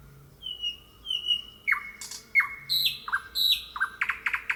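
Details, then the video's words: Wild thrush nightingale singing loud, varied strophes: drawn-out level whistles, then a series of steeply falling whistled notes repeated in pairs, closing with dense clicking notes. "Kuulame nüüd selle linnu tutvustamiseks ka ühe helisalvestuse, nõnda laulab ööbik looduses."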